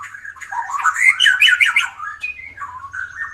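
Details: White-rumped shama delivering a loud burst of warbled whistles and harsh chattering notes, followed by softer sliding whistles, sung as a training model for songbirds.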